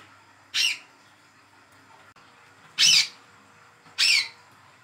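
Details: A hand-reared young olive-backed sunbird calls as a lure for silent birds, giving three high, sharp, slightly buzzy notes at uneven gaps, the last two close together.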